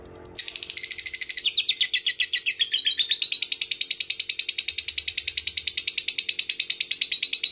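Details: Lovebird ngekek song used as a lure for young, fighter and female lovebirds: after a short quiet start, a sudden burst of rapid harsh chatter settles into an even machine-gun trill lasting about seven seconds, over a low hum.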